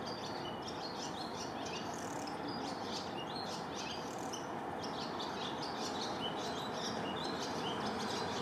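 Swallows twitter in quick, high chirps and chattering notes, about two or three a second, over a steady background hiss.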